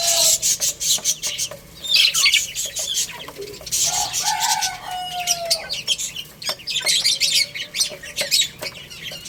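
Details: Baby chicks chirping busily while playing and eating, shrill repeated peeps packed closely together, with a few longer lower calls near the middle and frequent clicks and flutters.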